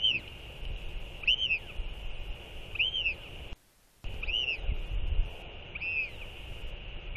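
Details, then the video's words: Northern royal albatross pair calling to each other after feeding their chick on 4.9.24: repeated arched whistles, rising and falling, spaced roughly 1.5 seconds apart, with a brief gap of silence midway and a steady background hum. "Royal Albatross ~ TF & TFT Skycall One Another After LGL Feeding!"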